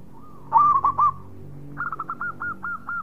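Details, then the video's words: Local zebra dove in active song. A loud burst of four rolling coos is followed by a softer, slightly higher series of about seven evenly spaced hooked notes. "Perkutut Lokal Gacor Suara Mewah"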